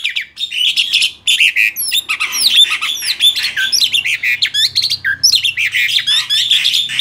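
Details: Male black-winged starling, tame and in full song, delivering a dense rush of varied whistles, harsh chatter and rising and falling slurred notes with almost no pauses.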